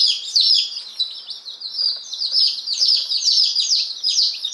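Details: Newly arrived day-old chicks, ten Appenzeller Spitzhauben plus five White Crested Blue Polish, recorded May 19, 2015. Continuous high, thin cheeping from many birds at once, peeps dropping in pitch and blending together.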